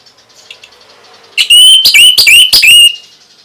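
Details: Orange-headed thrush song meant to prompt other birds into answering: faint background notes, then a loud run of ringing, clear whistles broken by sharp clicks, lasting about one and a half seconds.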